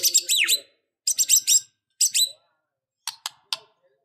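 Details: White-rumped shama singing in an emotional, fighting mood: three quick bursts of high, slurred chattering notes, followed by three sharp dry clicks.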